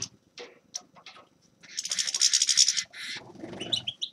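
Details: Grey-crowned goldfinch singing: scattered short high chips, then a dense, bright twittering burst of buzzy and tinkling notes lasting about a second, followed by softer chatter and a few high thin notes; faint low rustling underneath.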